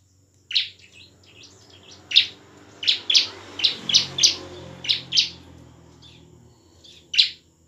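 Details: Bar-winged prinia gacor song, ngebren and nembak, intended to provoke lazy prinias into song and fighting; sharp scratchy chips in uneven clusters over a wash of broad background noise.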